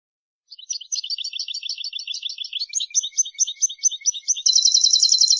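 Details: European goldfinch song for instructing young birds: lively, rapid jingling twitters running continuously, shifting into a fast high buzzy trill that continues to the end, on a clean background.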